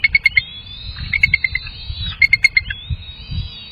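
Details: Bald eagles at a nest with two young during a feeding session: bursts of rapid, staccato piping notes alternate with longer, thin whistled tones, over a faint low rumble.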